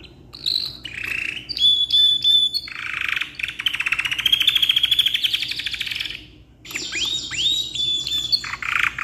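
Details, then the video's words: Canary in full, long song suited for tutoring other birds: short whistled notes, then a long buzzy rolling trill, a brief pause and bright rising whistles ending in steady pure tones. "GACOR KICAU PANJANG COCOK BUAT MASTERAN"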